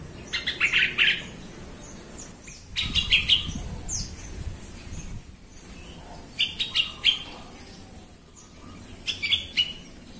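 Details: Sooty-headed bulbul lure recording meant to make other bulbuls agitated and vocal: repeated bursts of three to five rapid, bright chirps every few seconds, with scattered quieter notes and a low rustling background.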